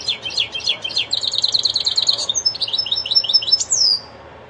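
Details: Goldfinch-style song from a linnet and canary hybrid: a dense, rapid stream of high twittering and trilled notes that runs for about four seconds, then closes with a rising-falling whistle before quiet.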